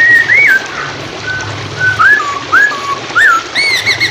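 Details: Hwamei song used for training songbirds and to prompt silent birds to sing, set over flowing water: clear whistled notes near the same pitch, some flat, others rising then dropping, in separate phrases about half a second apart.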